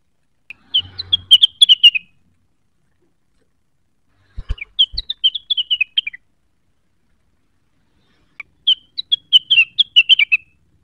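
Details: Cucak wilis song for provoking rivals: three bursts of quick, sharp whistled chirps, each about a second and a half long, separated by silent gaps, with faint clicks.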